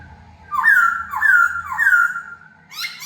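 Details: Indoors on its first free flight, a decoy laughingthrush sings three strong descending whistled notes in steady succession, followed by a brief cluster of sharp chirps.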